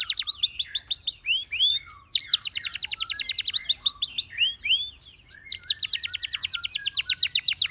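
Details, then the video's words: Canary melody with rapid rolling trills alternating with arched whistled notes, continuous and lively throughout. "How Beautiful The Sound of Dancing Canaries That Many People Like"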